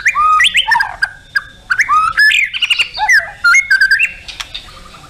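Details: Lively white-rumped shama singing, tembakan with full isian, meant for contest birds: rich whistled phrases rising and falling, mixed with harsh squawky notes and quick chirps, with almost no breaks over five seconds.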